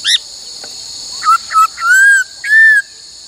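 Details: Laughingthrush practising varied song in training. Several short whistled notes lead into two longer, smooth, level whistles, set against a continuous high hum.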